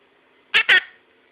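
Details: Connie, a pet monk parakeet, utters two quick, harsh, speech-like syllables in a mimicked word from phrases like "I love you", "bye bye" and "lucky".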